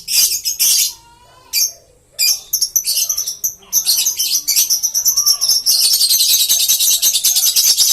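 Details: Green lovebirds squeaking shrilly in several short bursts, then breaking into a continuous, dense, high-pitched twittering chatter that runs to the end.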